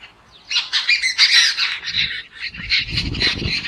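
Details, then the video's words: Fighting jungle babblers give loud harsh squawks, a dense overlapping chatter of rasping notes that rises in intensity and then continues unevenly, with some low rustling underneath toward the end. "Jungle Babbler Loud Noise | Sound Effect Babbler Call || Fighting (Turdoides striata) सात भाई का शोर"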